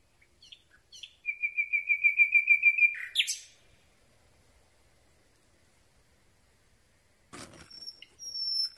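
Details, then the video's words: Nightingale singing in darkness, a pole-mounted microphone held very near: brief soft notes, then a pulsing run of a dozen rapid identical notes, a sharp harsh burst, a long silence and faint rustling of twigs. "Słowik Rdzawy piękny śpiew nagrany z bardzo bliska"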